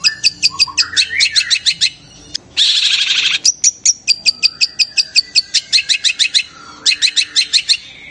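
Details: Long-tailed shrike calling, a cry said to rouse other shrikes into excitement and instant singing; rapid series of sharp, high chipping notes in bursts, broken by a harsh, loud buzzy rasp lasting about a second, then more rapid chip runs.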